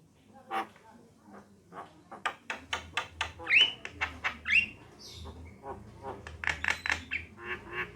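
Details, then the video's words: Female and male Javan mynas singing: rapid dry clicking and ticking runs, two quick upslurred whistles, then rasping chatter toward the end, over a faint low hum. "suara kicauan jalak kebo betina dan jalak kebo jantan"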